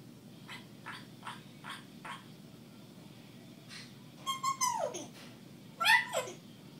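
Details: Pet female African grey parrot, eighteen months old, talking to herself indoors. A string of soft clicking chatter notes is followed by two loud whistles that slide sharply downward.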